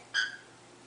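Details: Female cockatiel kept as a pet indoors, protecting her eggs from the camera: a single short harsh call, sharply rising then dropping, with strong overtones, in a quiet room.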